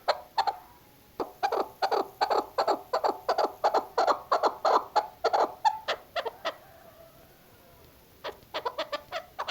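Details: Female chukar partridge hunting call: long bursts of rapid, harsh clucking notes, roughly three per second, broken by a pause of about two seconds before the chuk series resumes.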